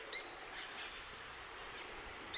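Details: Pygmy wren-babbler (pygmy cupwing) at Sattal, India, giving thin, piercing, very high whistled notes, each held steady for a quarter second and repeated about every one and a half seconds, over faint background hiss.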